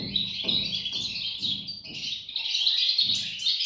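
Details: Goldfinch chicks calling in a high, continuous, wheezy twitter, while soft low thumps recur about every half second underneath.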